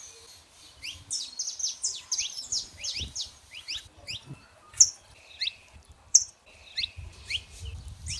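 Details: Wild saffron finches in natural surroundings: an opening burst of rapid rising twitters from several birds, then sparser chirps punctuated by two loud, sharp notes. Faint low rumble is heard, strongest at the end.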